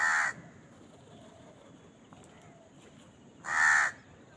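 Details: Two brief, rasping crow caws separated by about three seconds of near-quiet, recorded as the bird eats; faint background noise in the gap.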